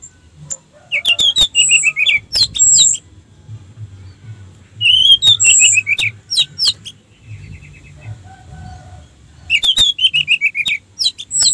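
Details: Orange-headed thrush song for luring other orange-headed thrushes into singing. Three separate bouts of quick, varied, slurred notes with piercing high whistles, each bout lasting about two seconds, with quieter gaps between.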